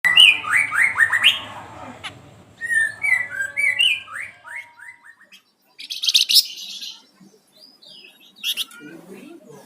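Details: Flamboyan songbird singing vigorously (gacor): sharp, high whistled notes and quick rising-then-falling phrases in lively bursts, later joined by buzzy high trills and short pauses, with a faint low hum underneath at the start.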